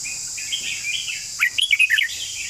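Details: Red-whiskered bulbul giving its long song. Gentle warbled notes lead into a louder, rapid string of about seven clear whistles, and a shrill insect hiss is heard throughout.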